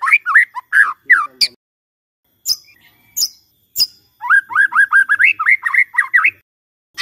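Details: Song of a caged white-rumped shama used as a morning lure to make a silent bird sing: looping whistled notes, a few sharp high chips after a pause, then a fast rolling series of rising slurs.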